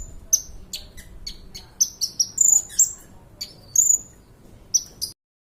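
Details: Sunbird song, kolibri ninja, recorded as a tutor for other birds: scattered high chips and short piercing whistles, irregularly spaced, ending abruptly.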